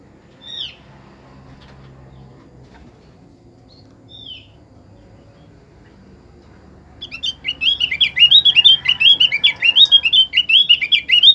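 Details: Caged white-eye song used to prompt other birds to sing: near-silence with two faint high chirps early, then a rapid, loud run of high twittering, warbling notes in the last four seconds.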